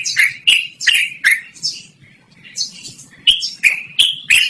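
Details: Yellow-vented bulbul (trucukan) in loud, clear 'ngerol' continuous singing, used for luring or training other birds: bursts of short, harsh, slurred chirps, each opening with a sharp click, in two runs split by a brief quiet gap.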